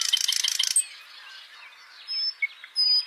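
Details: Nightingale singing: a rapid, dry burst of about fifteen clicking notes, then a short pause followed by thin, high, pure whistled notes given separately.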